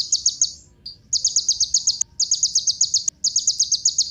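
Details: Kolibri ninja sunbird, a recording meant to prompt other birds to sing, delivers fast, high, stuttering trills of rapid ticks, several runs with short gaps and a few sharp click-like notes between them.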